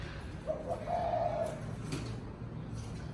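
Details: Spotted dove calling its flock in the evening, giving a single short, soft coo phrase that lasts about a second, then fades into faint background noise.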